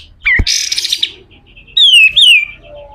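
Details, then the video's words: Pied triller giving its harsh 'besetan' song as master material for training birds: a loud noisy rasping burst, a pause, then a clear whistled phrase that falls and rises again. "SUARA KASAR‼️katem gacor dor, masteran burung"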